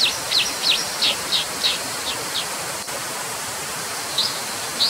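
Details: Brown dipper giving short, high, sharp chip notes in a quick series over about two seconds, then a pause and a few more notes near the end, over a steady broadband hiss.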